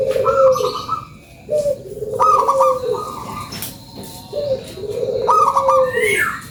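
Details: Energetic lure song from a local zebra dove: repeated pairs of purring low coos and higher rolling trills, three phrases in quick succession with brief pauses.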